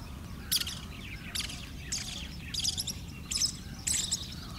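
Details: {'caption': 'Pied kingfisher on Kinmen, where it is resident, giving six clear, thin, high-pitched chattering bursts spaced under a second apart, with a steady low background rumble.'}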